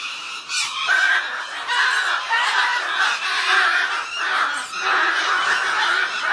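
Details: A pair of Goffin's cockatoos gives harsh, continuous squawks and screeches, dense and overlapping for several seconds, with no pause between calls.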